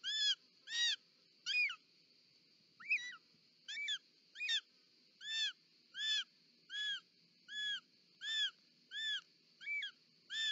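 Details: Short-toed snake eagle female with a snake at the nest, Parc Natural dels Ports, Catalonia, 18 July 2024: loud, evenly paced series of about fifteen ringing, arched whistles, roughly one every 0.7 seconds, over a steady hum.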